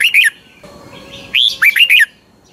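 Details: Thai caged Red-whiskered Bulbul from Pa La-u singing 'phleng boen' style. The clip opens on the tail of one phrase, then after a pause a full phrase follows: a rising whistle and three quick, curling mid-pitched notes.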